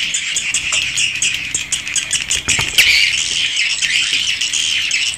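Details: Raw recording of swiftlets in a swiftlet house: dense buzzy chatter with ticking clicks, and one louder burst of calling in the middle before the chorus settles again.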